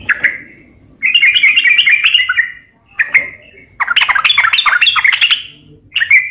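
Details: Sooty-headed bulbul in full song, played as a lure for birds that are reluctant to sing or stressed. Rich, bubbly whistled phrases come in two long bursts with short separate whistles between, over a faint low rumble.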